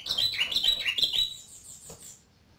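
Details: Yellow-vented bulbul singing energetically: a quick, bubbly phrase of slurred whistled notes that tumble downward, then fade into quiet.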